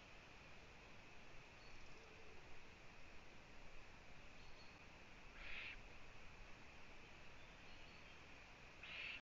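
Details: Eurasian eagle-owl female visiting her owlets at the nest, recorded by a live camera in Latvia on 1 June 2017 at 15:01; two short rasping hiss bursts, about four seconds apart, rise above a constant noise floor.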